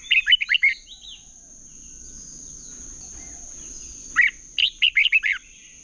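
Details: Red-whiskered bulbul in hót đấu competitive singing, meant as a training decoy: a fast run of bright chirpy notes, a long quiet gap, then a second rapid phrase of six loud slurred whistles, over a constant thin high whine.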